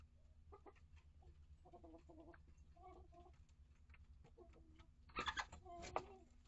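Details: Domestic hens in a coop and run, mature hens of mixed breeds kept with younger chicks: short harmonic clucks and murmurs, then a louder burst of squawking clucks near the end over steady low hum.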